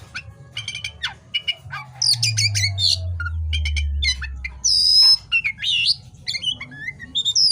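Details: Oriental magpie-robin singing lively at night: a varied run of short clicks and sharp ticks, then loud buzzy rasping phrases and bright whistled notes sliding downward, over a low steady hum.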